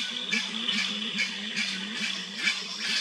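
Grey-winged Trumpeter giving low, hollow, slightly rising hoots, roughly two or three each second, over hissy background noise and a steady high ringing tone.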